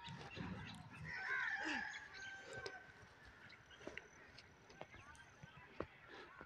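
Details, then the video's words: A crane (koonj), in a calling recording used for crane hunting, gives a loud, honking trumpet of a few harsh, rolling notes in the first two seconds, then softer scattered calls against a steady background hum. "Cran calling bird"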